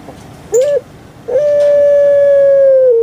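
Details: Kept puter pelung dove gives a short upturned hoot, then after a pause begins a long, unbroken, even coo lasting almost two seconds.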